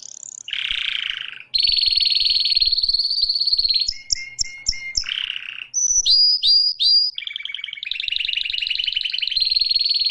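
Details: Canary song: long rolling trills alternating with lower buzzy rattles, a run of short clipped notes, then fast downward-swooping phrases and more sustained rolls, with faint soft clicks underneath.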